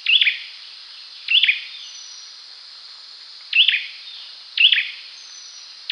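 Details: Olive-backed sunbird (Cinnyris jugularis) call: sharp, high, twittering chip bursts about every one to two seconds over a steady high hiss.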